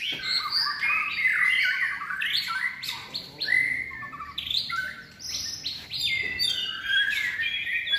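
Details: White-rumped shama trained for song competitions, in its third moult, singing a dense medley of loud whistles, slides and rapid high notes, about one phrase per second without pause.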